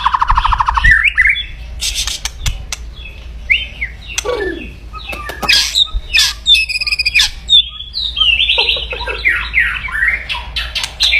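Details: Aggressive white-rumped shama song aimed at stirring rivals: a brief rattle, then scattered sharp clicks, swooping whistles and chattering fragments with quiet gaps.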